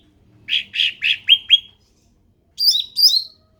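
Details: Endemic ruby-throated bulbul song: five rich, slightly buzzy notes falling in pitch in quick succession, followed by two higher, sharper warbled phrases.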